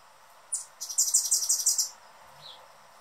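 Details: Anna's hummingbird, a male on his favorite feeder guarding the perch and calling noisily. A sharp lead note is followed by a rapid series of about ten high, buzzy chips, then a soft faint note afterward.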